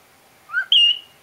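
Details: A male whiteface cockatiel in a cage whistles his favourite tune, two clear notes: a lower rising tone, then a high sustained one.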